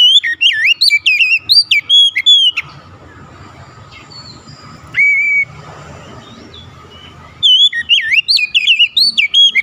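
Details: Showing off its repertoire, an Oriental magpie-robin excited by a rival's sound pours out dense, warbling whistled phrases. A long quiet gap follows, broken by one flat whistle, and then the rapid varied singing resumes.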